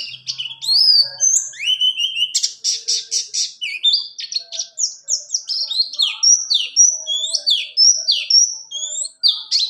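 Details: Rolling ngalas ngerol song of a buxtoni white-eye, a tutor recording for other birds: varied high whistles, a short burst of buzzy rapid notes, then a long run of quick stepped, down-slurred chirps.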